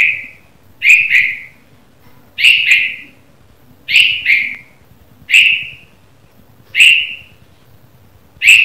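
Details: Red-vented bulbul chirping in the morning: loud, clear whistled notes, single or in quick pairs, each with a short drawn-out tail, repeated about every one and a half seconds against a quiet background.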